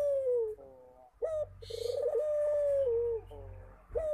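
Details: A Barbary dove calling often, long level purring coos tailing downward, separated by short rising notes, with a brief rustling noise mid-phrase.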